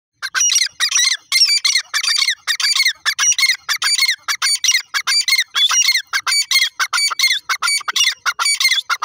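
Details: Black francolin calling: harsh, squawking notes packed into fast, nearly unbroken bursts, each a short grating syllable with bright upper tones, repeated rapidly for the whole stretch with only tiny gaps.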